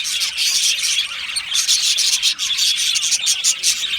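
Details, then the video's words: Budgerigar colony in an aviary: loud, very high, buzzy twittering and chirping from many birds, a near-continuous shrill chatter with brief dips. "Australian Budgie bird colony sound | Budgie natural sound | Budgie parrot chirping sounds"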